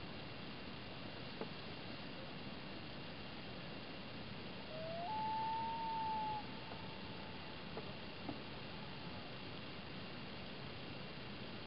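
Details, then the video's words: A loon at sunset on Slocan Lake gives one long wail that slides up into a sustained tone, then fades slowly over several seconds above a steady hiss. "Loon Calls"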